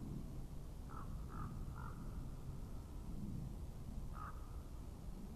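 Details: Common raven recorded by an Estonian webcam in 2017: three short, distant croaks in quick series, then a single croak three seconds later, over persistent low wind rumble.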